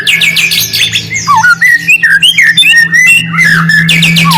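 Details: Shama lure song for stirring silent birds: quick clipped notes about three per second mixed with rising and falling whistles and short trills, low hum in the background.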